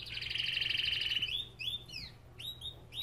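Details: Belgian canary from an aviary giving a dense, rolling trill for over a second, followed by separate swooping whistled notes and down-slurs, with a faint low hum.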